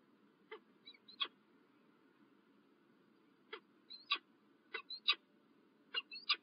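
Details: A peregrine falcon at Illkirch-Graffenstaden, France, on a January 2023 morning utters short clusters of rasping notes mixed with high thin whistles, a pause of about two seconds between clusters, steady hum behind.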